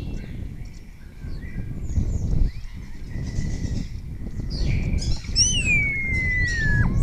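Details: Spotless starling singing in Cabañeros National Park, Spain, answered by other starlings; its song includes imitations of other birds. Quiet soft notes, then a loud sharp whistle that rises and slides slowly downward, over low background rumble.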